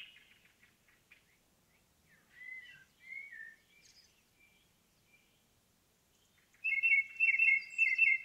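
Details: Indigo bunting singing in a forest: faint scattered chirps and a few short slurred whistles at first, then a loud final burst of rapid, repeated sweeping notes over the last two seconds, in a quiet setting.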